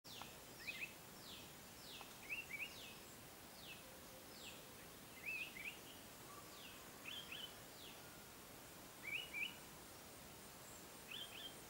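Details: Yellow-browed Bulbul perched on a branch after bathing in a small stream, calling while drying its feathers: short doubled whistled notes about every two seconds, over high, descending chirps from another bird.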